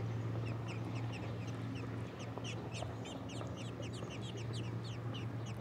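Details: American robin nestlings in the nest, as a parent brings a big fat worm, give a rapid overlapping chorus of thin high peeps, several each second, over a steady low hum.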